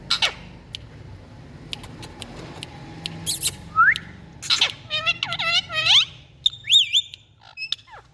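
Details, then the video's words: Rose-ringed parakeets give harsh, screechy squawks and a run of rising, looping chirps, with sharp clicks and a faint low hum underneath. "Indian Parrots🍃Beautiful Sounds"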